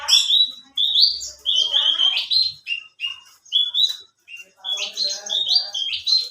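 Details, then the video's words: Branjangan of the alinea type, kept for song contests, in full voice: clear whistled phrases, some slurred and rising, broken by brief pauses, with fainter lower twittering fragments in between. "Burung branjangan alinea gacor"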